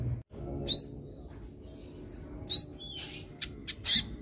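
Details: Sunbird used in training a young bird to sing: two sharp, high upward-swept chirps about two seconds apart, followed by scratchy high notes and ticks.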